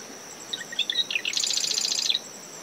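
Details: Marsh wren early-morning song on a windy dune near the high tide line, close to a nest: chattering lead-in notes then a fast, buzzy mechanical trill, backed by waves, wind and a constant cricket tone.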